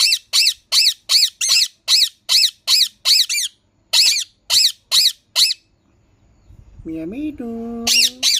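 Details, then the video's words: Green parrot squawking rapidly in harsh, buzzy notes about three per second, then briefly silent. A lower, smooth, rising-then-level whistled phrase follows before the squawks resume. "Green parrot talking natural sound"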